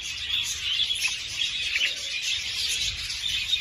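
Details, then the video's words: Budgerigars in a breeding-stimulation recording: a dense, continuous high warbling chatter of chirps and twittering notes with no pauses, occasional sharper tweets standing out, over a faint low hum. "تحفيز البادجي على التزاوج"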